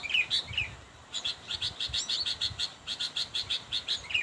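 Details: Rival-calling sooty-headed bulbul, recorded for bird luring: a few slurred opening notes, a brief gap, then a long regular string of rapid, high, clipped chirps.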